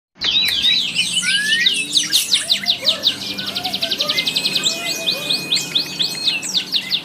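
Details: Grey-cheeked bulbul delivering a tight, rough burst of song: dense, rapid, harsh chattering notes high in pitch, breaking into a fast even rattle of repeated strokes, with faint soft whistles from other birds beneath.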